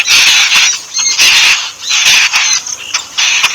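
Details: Bathing yellow-billed babbler in Sri Lanka: loud bursts of rasping, nasal squawks come roughly once a second, each burst a thick tangle of harsh notes with short quieter gaps between.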